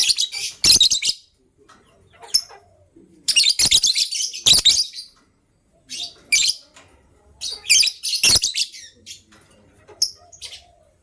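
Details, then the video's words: Busy morning chirping of lovebirds, a gray one ready to lay eggs and a yellow-green one: long runs of loud, harsh, shrill chirps in overlapping bursts, with brief quiet pauses between groups. "Yellow Green Lovebird's melodious chirping sound"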